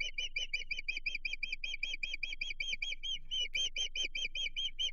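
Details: Agitated osprey on its Chesapeake Bay nest, 15 June 2023, reacting to an intruder with an unbroken stream of high, sharp whistled chirps, about five each second, briefly louder near the end.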